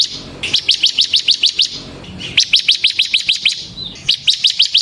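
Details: Bar-winged prinia singing ngebren-style for luring and training caged birds. Rapid runs of about eight high chirps are split by short pauses, over a soft background hiss.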